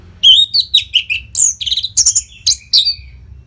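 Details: Rapid, varied orange-headed thrush song meant as a tutor for competition birds: a dense sequence of loud high whistles, slurs and short trilled notes delivered almost without a break.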